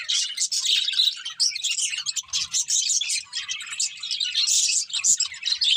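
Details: Pet budgerigars, described as happy, chatter while feeding; overlapping high warbled phrases and chirps run throughout, broken by brief quieter gaps and one sharp click.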